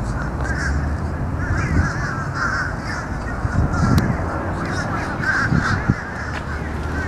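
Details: A group of noisy fish crows gives many short, hoarse, nasal caws that overlap into a continuous clamor. A low rumble runs underneath throughout.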